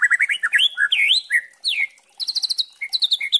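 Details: Juvenile white-rumped shama in loud, varied song used to train other shamas. Quick chattering notes lead into swooping whistled slurs, a short pause, then fast repeated high notes and clipped whistles.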